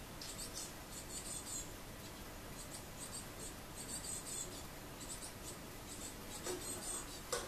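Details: Juvenile great tits begging for food, recorded 8 June 2018: strings of tiny, very high-pitched chirps repeated in short groups throughout, over a steady low indoor hum.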